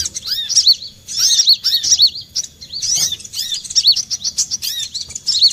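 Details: Olive-backed sunbird call for luring birds into traps: quick clusters of shrill, arching chirps separated by short silences, with a faint lower whistled note.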